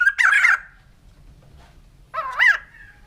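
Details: White-crested laughingthrush giving two short bursts of harsh, ringing notes with rising and falling inflections, separated by about a second and a half of quiet low background rumble.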